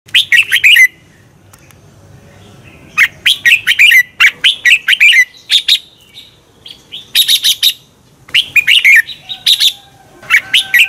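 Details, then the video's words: Red-whiskered bulbul song played to stir birds into competitive singing: loud phrases of rich, warbled whistled notes, several notes per burst, separated by short pauses over about eleven seconds. "Luyện chào mào hót sáng Giọng xoắn kép hay KÍCH CHIM CĂNG HÓT ĐẤU"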